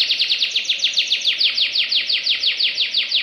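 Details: A canary in full, fast 'nembak' song for training other birds gives an unbroken, tightly packed trill of high, slurred descending notes, about six each second, steady in pitch and loudness throughout.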